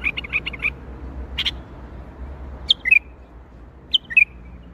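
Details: A bulbul sings in the Baghdadi style: a rapid run of chirps opens, then a single sharp note, then two liquid, dipping phrases of slurred notes, with quiet background rumble.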